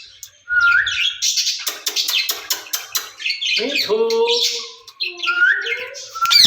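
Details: Two caged ringneck parrots talking to each other in a mix of scratchy chatter, clipped rhythmic clicks and a few drawn-out, tonal, voice-like notes, ending in a harsh squawk.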